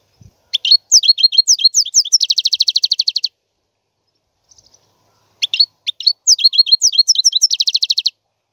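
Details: Two long goldfinch song phrases, each a string of bright twittered notes running into an extended, even buzzy trill, with a few faint chirps during the pause between them.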